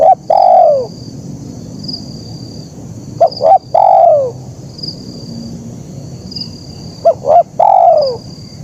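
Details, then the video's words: Zebra dove singing in KUK 1 style, clear and clean: three phrases of clipped low cooing notes, each closing with a longer drawn-out coo, spaced roughly three to four seconds apart over a quiet, hissy background. "Suara Burung Kicau Terkukur Gacor KUK 1🔥🔥Suara Bersih Jernih dan Penawan"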